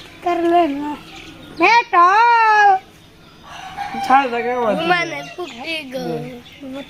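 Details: A pet green talking parakeet, coaxed by its owner to talk, mimics speech in several nasal, word-like bursts with sliding pitch, some drawn out and some quick, mixed with a few harsher squawk-like notes.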